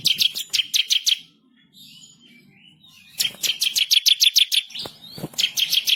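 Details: Bar-winged prinia in vigorous masteran song, rolling and sharp: clusters of piercing high chips in quick succession, a quiet gap, then a longer run of rapid chips and another burst.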